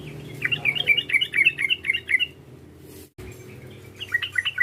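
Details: Sooty-headed bulbul calling to provoke a rival: a quick run of about eight bright, bubbly notes, a short break, then another chattering burst over steady low-pitched background noise.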